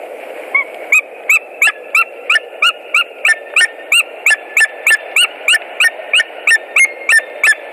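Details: White-tailed eagle pair at a nest in Latvia, 17 March 2018, during a mating attempt: rapid series of sharp yelping notes repeated about three times per second, steady and loud, over a constant low background hum.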